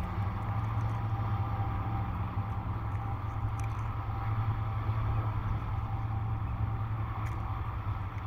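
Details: Steady low engine-like hum with a broad noisy wash and a few faint clicks; no animal voices stand out.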